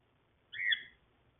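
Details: Pet cockatiel, yellow and grey birds kept together, giving a single short whistled call that rises then slurs down, loud and clear against a quiet room.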